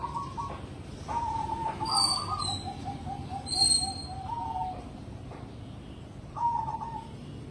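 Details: Zebra dove of the cemani type, competition grade, delivering several soft level cooing phrases, one drawn out into a long trilled coo; sharp high-pitched chirps from another source sound between them.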